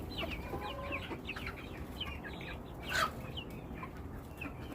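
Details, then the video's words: Chickens in a flock give scattered high descending peeps, interrupted around the three-second mark by a sharp louder sound, over a low rumble. "Beautiful sounds of our flock !!"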